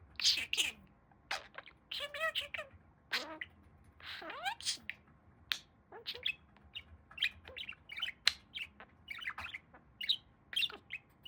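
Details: A talking pet budgerigar, male, mixes squeaky word-like phrases with clicks, chirps and brief squawks in a busy, uneven stream of sound over a faint background hum.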